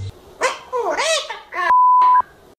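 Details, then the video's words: A parrot talks in quick, voice-like bursts with rising and falling inflections, cut partway through by a steady electronic beep. "O PAPAGAIO MAIS FALANTE DO MUNDO"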